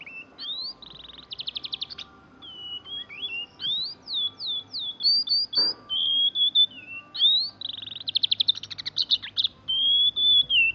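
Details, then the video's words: Young pet oriental magpie-robin, just out of juvenile plumage, sings rolling canary-style song learned by mimicry, also copying white-eye and lovebird rolls: upslurred whistles, rapid buzzy trills and rolls, with one brief thump midway. "Burung Kacer NgeroL Kenari"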